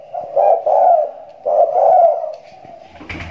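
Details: Spotted dove fresh from its moult and back in full voice: two drawn-out, mellow coos, each swelling then fading, followed by a brief clatter.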